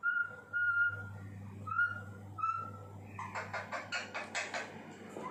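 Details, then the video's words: Talking parrot voicing clear whistled notes, held level and repeated about four times, then a quick run of harsh, clipped broadband squawks near the end; steady low hum underneath. "talking parrot"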